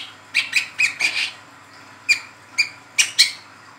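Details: Juvenile spotted Brown-throated sunbird with lively 'ngeriwik' chatter, played as a lure to stir other sunbirds. A cluster of five high thin chips, then single sharp notes spaced about half a second apart.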